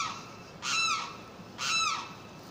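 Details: Two loud, ringing Limpkin cries, each a harsh downslurred wail about half a second long, heard against a quiet outdoor background.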